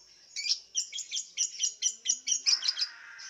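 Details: Lovebird from Singkawang, West Kalimantan, competing in an online singing contest, kept caged and fed white millet: a steady string of shrill, squeaky twittered notes, about four per second, ending in a tighter cluster.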